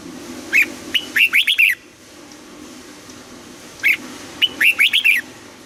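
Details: Red-whiskered bulbul singing during morning voice training in a double-note wild style: two matching phrases of rapid, buzzy-edged whistles that rise then fall, about three seconds apart, over a soft low hum.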